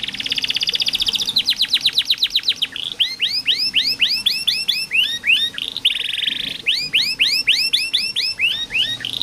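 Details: Canary song used as a lesson for young canaries and as therapy for birds that stopped singing. It opens with a high buzzy roll and a quick trill, then loops of upswept whistled notes, with another buzzy roll midway.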